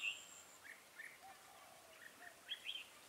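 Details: Red-whiskered bulbul used as a decoy in bird trapping at Chùa Hương, Vietnam, on 4/12/2017: faint, short, warbled whistled notes in scattered bursts, a brighter chirp at the start and end, over a quiet hiss.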